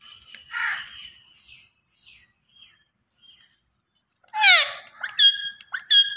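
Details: Green ringneck parakeet at home, first soft chattering and short quiet notes, then a loud harsh falling squawk followed by clipped nasal calls.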